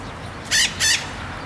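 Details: Red-shouldered macaw in open campos and cerrado country at Araguari, Minas Gerais, Brazil: two loud, harsh, grating screeches in quick succession, each lasting about a sixth of a second, over a quiet background.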